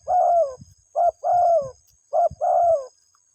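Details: A spotted dove gives two short-long coo phrases to call its mate, the long notes mellow and gently falling, with light low thumps and a thin steady hum behind.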